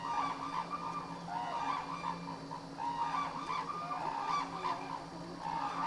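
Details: Captive black-necked crane at Akan International Crane Center on January 8, 2006: a loose series of nasal, honking calls roughly every second or two, with a steady hum behind.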